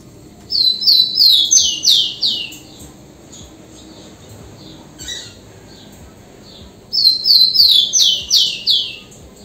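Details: Two phrases of ligeirinho-style song from a rufous-collared sparrow. Each phrase is a run of bright, high, downslurred whistles that fall step by step, with a short quiet gap between the phrases.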